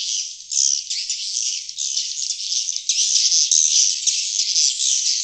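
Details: Swiftlets calling to entice wild birds: a loud, unbroken buzzing twitter, high and rasping, with uneven swells about four times a second and no other sounds.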